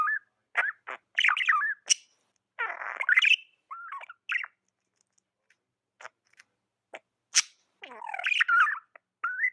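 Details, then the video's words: Pet budgerigar twittering in uneven bursts: bending whistled chirps, a harsh buzzy rasp, sharp ticks, and a final warbled run of chirps. "Amazing budgie chirping sounds"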